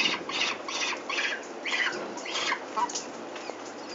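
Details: At Venlo in the Netherlands, 21 May 2024, peregrine falcons call as their chicks are taken for ringing: a few loud, rasping squawks in irregular bursts, then quieter noise.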